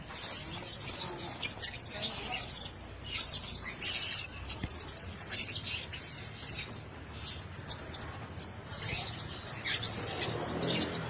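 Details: Shrill high chirping from Blue-crowned hanging parrots sharing one cage comes in choppy, uneven bursts separated by short gaps.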